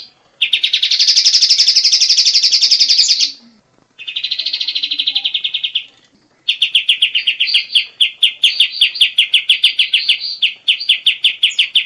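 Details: White-shouldered triller song: a long, fast, ringing trill lasting about three seconds, a shorter second trill, then an extended series of crisp, evenly spaced high notes that gradually turn more uneven. The background is quiet.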